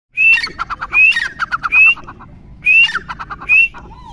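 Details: Chukar calling: a high, clear rising whistle followed by a quick run of buzzy, clipped notes. The phrase comes in two bursts, three times and then twice, with a soft hum of background noise.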